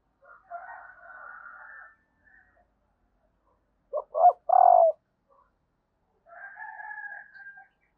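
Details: Female spotted dove calling to excite males, giving one clipped three-note coo ending in a longer hoarse note, framed before and after by a fainter buzzy, smeared sound.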